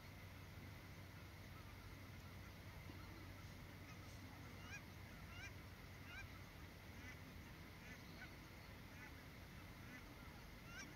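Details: A flock of cackling geese in Miyagi Prefecture, Japan, where nearly ten thousand now arrive, gives high, yelping honks, scattered and overlapping every second or so, over a steady low rumble of wind or distant traffic.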